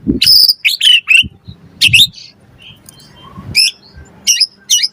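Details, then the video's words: White-rumped shama song used as a lure to provoke other birds to sing: short loud bursts of high whistled and buzzy notes, some rising and swooping, separated by brief pauses, with faint low rumbling beneath. "Pancingan Murai Batu Langsung Nyaut Auto Bunyi Cpt Gacor Full Isian Buat Masteran Suara Burung Murai"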